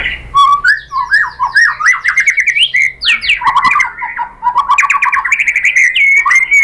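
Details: White-rumped shama singing as a lure to provoke rivals: a continuous, rich mix of rapid chattering notes, whistled slurs and repeated figures, loud and varied throughout.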